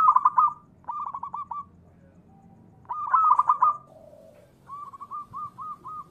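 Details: Local Indonesian zebra dove, a lure recording meant to provoke other doves into calling. Two loud bursts of rapid cooing notes, each followed by a string of softer, evenly repeated hooked coos. Faint low murmur underneath.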